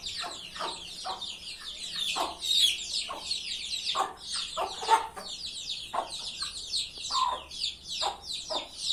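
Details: Chicken flock: irregular low clucks stand out over a continuous wash of shrill peeping chirps, with one louder sharp note near the middle.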